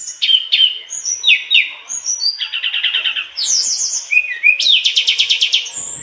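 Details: Mangrove blue flycatcher (tledekan bakau) singing actively in the bongkar isian style, pouring out its learned phrases: high whistled notes and slurs, then rapid buzzy trills and fast repeated chirp series, varied and continuous, with no other clear sounds.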